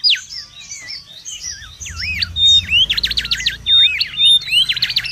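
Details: Wild mangrove whistler singing busily, used for luring and tutoring: rapid, jumbled high whistles and sweeping slurs, then fast up-and-down looping notes and bright level whistles, with low rumbling noise underneath.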